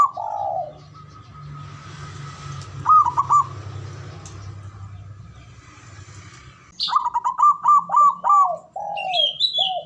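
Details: Male zebra dove singing ngoar manggung to provoke mating arousal and emotion: a low drawn coo, a stuttering trilled pair, then a long rapid string of trilled coos and falling notes, with a higher twittering bird near the end.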